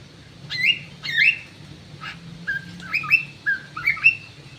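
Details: Crewet bird kept in an aviary, giving short bright chirps and whistled slurred notes, first two clear notes then a quicker run of four falling and rising whistles, with a low steady hum behind.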